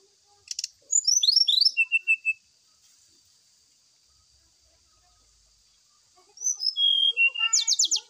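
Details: Brown-chested jungle flycatcher lure song for a bird being aired in morning dew: a burst of sharp descending notes and a short whistled series, a long pause, then rapid whistles and a fast trill, steady high hiss throughout.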